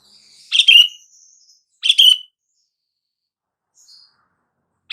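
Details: Sooty-headed bulbul call meant to make silent bulbuls respond: two lively chirping phrases with slurred whistled endings about a second apart, faint thin high notes in between, and another phrase starting at the end.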